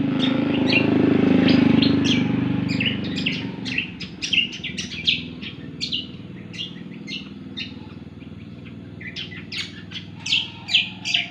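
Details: Cucak kombo, described as gacor, singing: a rapid series of sharp, high chirps and short whistled notes, some in quick bursts. A low rumble like a passing vehicle is heard near the start.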